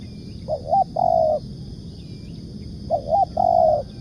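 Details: Spotted dove used as a trapping lure, 'nekan' and 'ngukuk' style cooing: two mellow, hollow coo phrases, each a short wavering double note followed by a longer level coo, separated by a pause, over a low rural hum.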